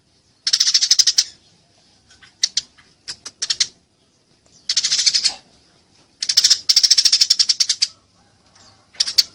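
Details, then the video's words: Clear, loud Eurasian tree sparrow during a fight: fast chirp bursts alternate with a few isolated notes, the longest rattling run coming near the end. "masteran burung gereja tarung gacor suara jernih"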